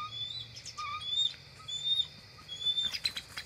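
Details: Two adult bald eagles reaching their nest tree at dusk in early October, both later staying the night: scattered short, high chirped notes at varied pitches, with soft rustling near the end and a constant faint drone.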